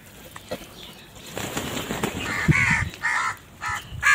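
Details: Crow at its morning meal: after some low rustling and handling noise, four harsh caws follow in a rapid sequence, each short and nasal.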